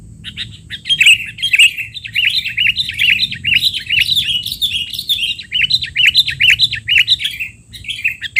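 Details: Sooty-headed bulbul giving noisy, excited calls used as a tutor recording for young untrained bulbuls: a dense, continuous stream of quick chirps and short warbled notes, with a faint steady high whine behind.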